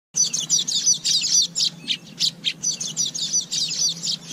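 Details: Asian golden weaver song: dense bursts of buzzy, sizzling chatter in rapid runs, briefly broken by short gaps, over a steady low hum.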